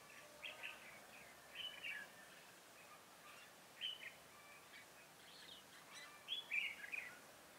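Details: Red-whiskered bulbul singing as a trap decoy to draw in wild birds: chattering, slurred notes repeated in several short bursts roughly every one to two seconds against a soft noisy background.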